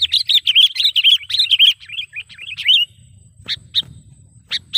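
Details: Trapping lure call of the sooty-headed bulbul: a dense burst of quick looping chirps for almost three seconds, then a pause broken by a few sharp isolated notes, over a soft low background hum.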